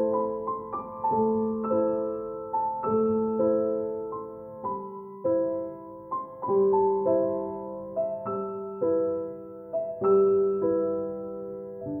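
Gentle piano music plays throughout, with sustained chords and a slow melody, and no animal sounds.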